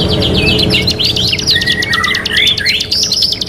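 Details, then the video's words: Canary from a '3 in 1' training recording delivers a fast staccato trill over a lower, gliding whistled phrase that dips and climbs, closing on a sustained high note. "KENARI GACOR | CANARY SINGING"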